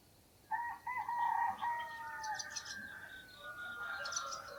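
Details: Early morning rooster crowing in Namje Village, Dhankuta, recorded on a Sony camera: a long drawn-out crow with a steady held middle and falling end, another rooster crowing faintly behind, birds chirping in the village.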